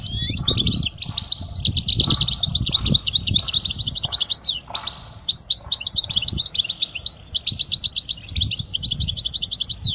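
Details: European goldfinch song for teaching young goldfinches: rapid twittering, tinkling and buzzy high notes in dense continuous phrases, with faint low rumbling underneath.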